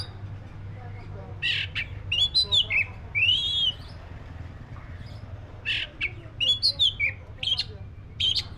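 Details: Black-breasted oriental magpie-robin singing in bursts, with rich whistled phrases and an upward-arching note, then a quiet gap before a run of quick chirps and whistles; low hum throughout.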